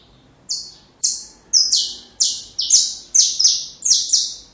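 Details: Training song of a saffron finch for chicks: one softer chirp, then a steady series of loud, high, falling buzzy notes spaced roughly half a second apart.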